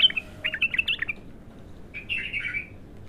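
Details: Raw song of a bulbul at its first opening: two bright warbling phrases of rapid, slurred chirps, the first a quick stuttering run and the second a rolling twitter, with low steady hum underneath.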